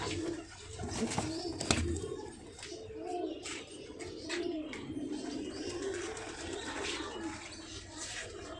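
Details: Several domestic pigeons awaiting sale coo continuously in low, wavering phrases, with clicks and wing or cage noises in a small room.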